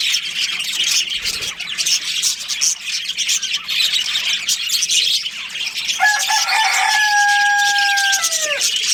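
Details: Budgerigars in a breeding colony chatter with busy high chirps and squawks; in the final seconds a clear, steady whistled tone holds and then slides downward over the chorus.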